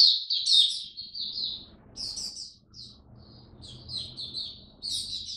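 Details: Oriental white-eye in a cage during cold rainy weather, singing short bursts of high, quick chirps and trills separated by pauses, with a soft hiss of background noise.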